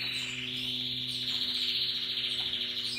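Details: Russian yellow and Timbrado canaries singing happily, a continuous rolling high trill held steady for three seconds with faint overlaid twitters, over a low steady hum.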